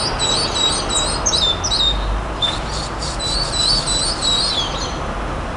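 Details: Nightingale song: rapid series of sharp, whistled notes, some with a metallic ring, repeated in quick bursts with brief gaps, over a steady background hiss.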